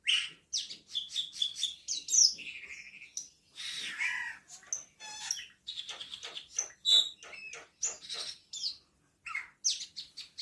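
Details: Black-winged myna (cucak keling) in energetic, sustained song, described as gacor teler: dense run of loud chirps, squeaky whistles and harsh buzzy notes crowded into rapid bursts with brief pauses, no other sounds.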